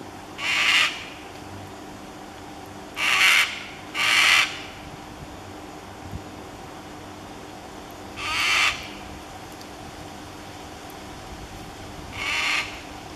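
Five loud, harsh, grating screeches from a sulphur-crested cockatoo, each under a second, spaced irregularly over thirteen seconds against a quiet background.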